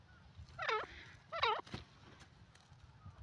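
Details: Black francolin pair (dakhni teetar): two loud, harsh, descending notes about 0.7 seconds apart, followed by a thud and a steady low hum.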